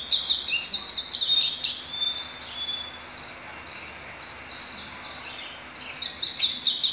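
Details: Indigo bunting delivering a strong burst of high, paired, sweeping notes, trailing into softer notes, then falling quiet before another bright phrase begins near the end.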